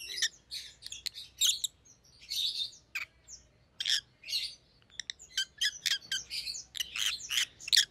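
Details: Rosy-faced lovebirds, white-headed pallid opaline and green opaline, producing continuous shrill chirps and squawky chatter over a steady background hiss.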